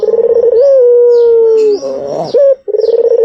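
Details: White turtle dove heard as a lure. A rolling, pulsed coo gives way to a long, even, gradually lowering note, then a short harsh sound and the start of another fluttering coo.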